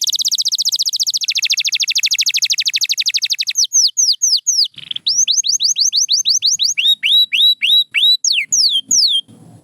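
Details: Song of a pure white canary, opening with a fast, dense rolling trill for over three seconds, then shifting into ringing repeated swooping whistles that rise and fall in pitch, some doubled, in a lively stream.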